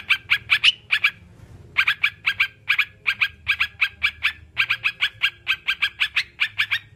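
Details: Sooty-headed bulbul (crucukan) song, used as a therapy recording so caged birds start singing and stay calm: bursts of short, bright chirpy notes repeated in quick runs, with a brief pause after the first second and faint low background hum.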